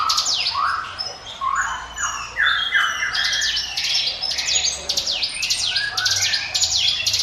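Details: Ciblek gunung prinia, its "ngiwit wit" song meant as a lure for other birds: lower whistled rising phrases at first, then dense, rapid, high descending chips layered over them.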